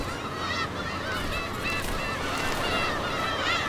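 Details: Black-tailed Gulls in a dense summer nesting colony on Dokdo island give harsh, nasal mewing cries that overlap in a chorus as incubating birds attack intruders and fight over nest territories, with steady background noise throughout.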